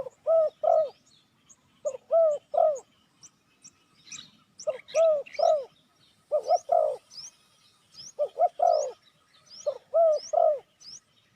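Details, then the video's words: Spotted dove giving its lure call to attract wild doves: repeated phrases of two or three deep, rounded coos at steady intervals, with sharp, high, sparrow-like chirps scattered above throughout. "Chim cu gáy chiêu kích mồi tập bổi nhanh nổi hiệu quả"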